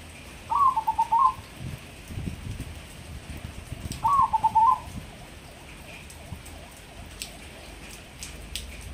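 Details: Crossbred captive zebra dove singing two brief phrases of soft whistled coos about three and a half seconds apart, each a short run of rapid pulsed notes, with scattered knocks and faint noise between.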